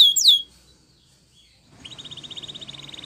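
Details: Spanish Timbrado canary training song: a brief bright sweeping whistle, a pause of near silence, then a soft fast trill of evenly repeated notes.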